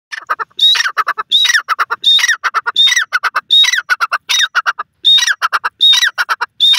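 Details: Grey francolin, a local partridge, calling loudly in a repeated phrase: clicky notes followed by a sharp rising whistled note near the top, about once every 0.7 seconds, harsh and ringing.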